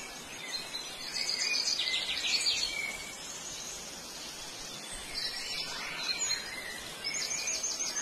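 Blue grosbeak giving rich, warbled phrases about two seconds long, twice, over a steady high insect hiss and faint background chirps.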